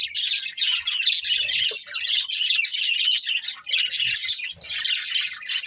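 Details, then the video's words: Breeding pair of budgerigars chirping, dense high warbling chatter in near-continuous bursts with brief pauses around one and four and a half seconds. "Cute Budgies Chirping Sounds | Love Birds Breeding Pair"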